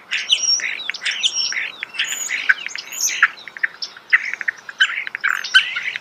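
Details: Busy close starling song in nature, a rapid mix of clicks, squeaky chirps and short whistles strung together for several seconds.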